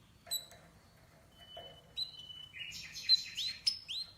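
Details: Canary singing a long level whistle followed by rising, sliding notes and buzzy trills, growing louder toward the end, over faint background noise.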